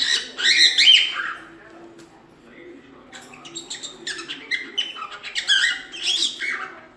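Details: Pet cockatiel in a home, chattering with harsh, buzzy bursts and chirps between a quieter middle stretch; low background hum throughout.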